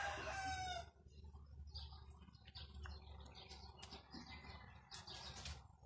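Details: A pet turkey (Meleagris gallopavo) gives a brief, harmonic call that falls in pitch, followed by wing flapping, rustling and a few short clucking notes.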